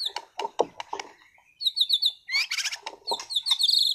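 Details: Caged white-rumped shama of contest class from Sragen: several dull knocks open, then a high quick series of chipping notes, a loud harsh rattling burst and a fast bright twittering run.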